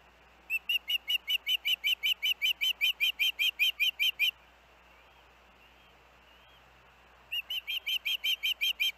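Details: Osprey at its nest with young siblings at Hellgate on August 23, 2024, hours after dangerous winds tossed one youngster off the nest. Sharp whistled chirps come rapidly, about two and a half per second, for four seconds, pause, then resume.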